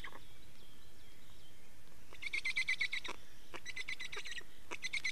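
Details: Black storks at their nest in Estonia, change and feeding, 24 May 2019: faint thin whistles at first, then a sudden run of rapid squeaky, raspy pulses, followed by scattered short bursts.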